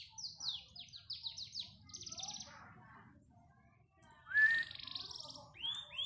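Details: Song of a panda canary: a run of quick downslurred notes, then a dry buzzy trill, a short pause and a loud rising whistle leading into more rapid trilling.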